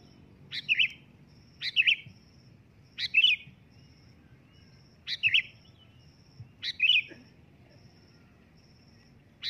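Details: Loud calling of a sooty-headed bulbul. Five short, liquid, gurgling phrases repeat roughly every one to one and a half seconds over a faint, rhythmically pulsing high tone.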